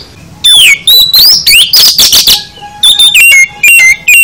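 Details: Oriental magpie-robin (kacer) pouring out a varied full isian song, with loud rising whistles and harsh buzzy notes that give way to clipped, repeated whistled phrases.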